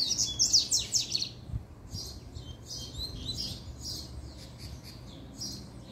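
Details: Male double-collared seedeater in fiery, excited form giving a puxada song: rapid bursts of high, sharp chirps and trilled notes in the first second, then buzzy, sliding phrases repeated over steady low background hum.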